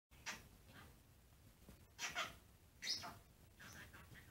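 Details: A pet blue budgerigar chatters back at its owner's finger in short, scratchy bursts of rasping, squeaky notes, with quiet pauses between them.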